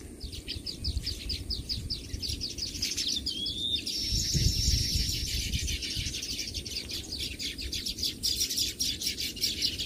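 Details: Baya weaver birds calling in a flock: dense, rapid high chirps repeated several times a second, one brief rising whistled note near the middle, over steady low rumbling background noise.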